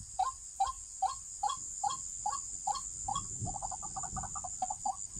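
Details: White-breasted waterhen (Amaurornis phoenicurus) gives hollow, croaking notes about two or three per second, breaking into a quicker stuttering run, over a steady high insect drone.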